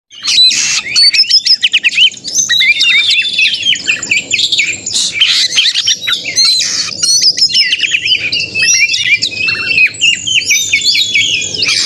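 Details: White-rumped shama song played to provoke a caged bird into singing, as in a contest simulation: dense, fast, varied high whistles, trills and harsh buzzy notes packed almost without pause.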